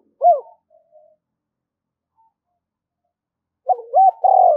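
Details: Spotted dove lure bird calling to draw in wild doves: a short hooked coo, a brief pause, then a faint trailing note, silence, and finally a quick pair of coos running into a long, level drawn-out coo.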